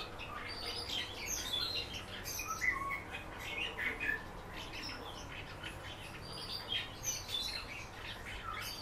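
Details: Pet common house martin singing indoors while its keeper encourages it: chirping, squeaky twittered phrases, some lower rasping notes, in loose bursts every second or so over a faint hum.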